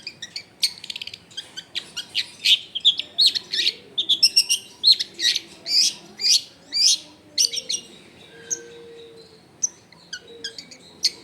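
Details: Long-tailed shrike in energetic 'full isian' song, recorded at home in a crowded neighbourhood: a rapid, dense run of high chirps and clipped notes, roughly two per second, easing toward the end, with a soft low tone in the background.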